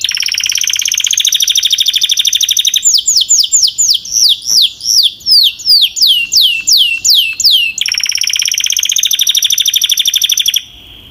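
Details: Powerful Belgian canary song, a steady rapid buzzy trill broken by a run of loud descending whistled sweeps, then the fast trill returns before stopping abruptly.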